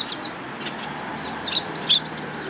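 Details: Sparrows recorded 10 June 2018 giving soft high arched chirps in quick succession, ending in a louder sharp chirp, over a continuous faint hiss.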